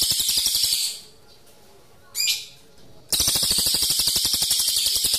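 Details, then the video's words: Pygmy bushtit in vigorous rolling song, used as a tutor for magpie-robins: very high, rapid, buzzy trill of evenly pulsed notes at about four per second, pausing briefly around a single sharp high note, then rolling on. "Cililin Gacor Ngerol Cocok Buat Masteran Murai"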